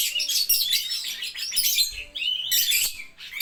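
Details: Lovebird singing ngetik style: unbroken rapid, high, buzzy twittering with quick rising and falling notes, a brief dip midway before the chatter resumes.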